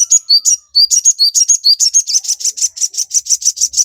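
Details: Sogon song meant to rouse and train caged birds: sharp high whistled notes alternating between two pitches, then a steady run of rapid, buzzy repeated notes about two per second.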